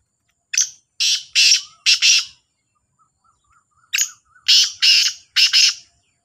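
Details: Black francolin (kala teetar) in a calling contest with a second bird: two matching harsh phrases of four to five grating bursts, about three seconds apart, with faint soft notes between them.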